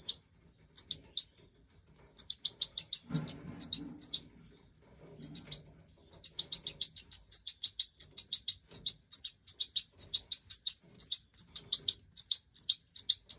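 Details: European goldfinch, Major form, breeding season 2024: long, almost continuous stream of rapid high chirps repeated several per second, pausing briefly once, with soft low rustling midway.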